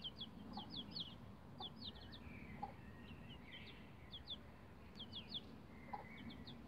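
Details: Several bantam Rhode Island Red chicks about 11 days old on a chicken ladder peep steadily: bursts of two to four quick, high, downward-sliding cheeps recurring throughout, with softer chirps and a low rumbling background.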